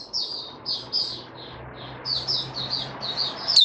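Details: White-eye, a male settling into form, gives a soft run of high, slurred chirping notes at a steady pace over a steady low hum and room noise.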